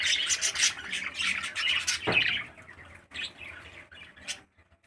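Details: A 13-day-old parakeet chick raised in captivity by a breeder bird gives fast scratchy squawks, roughly three per second. A thump sounds at two seconds, then the calls thin out into scattered short bursts before silence.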